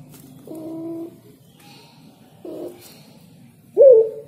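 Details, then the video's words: Spotted dove singing three soft, low, hollow coos about a second and a half apart, the last one louder and wavering, over a steady low hum. "Burung Tekukur Bernyanyi"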